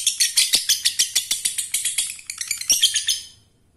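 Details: Male lovebird calling to a female, set to prompt other lovebirds to join in: a rapid series of harsh, high chattering notes about five per second, fading away after three seconds; faint low hum behind.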